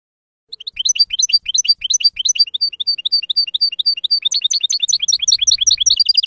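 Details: European goldfinch singing the F.O.C.S.E code for teaching young birds: after a brief pause comes a continuous, fast, liquid twitter of high chirps, lively and unbroken to the end.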